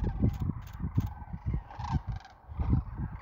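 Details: Sandhill cranes on spring migration near Wood River, Nebraska, in 2024 give short, pulsed rattling calls several times a second from within a calling flock, over a deep rumbling background.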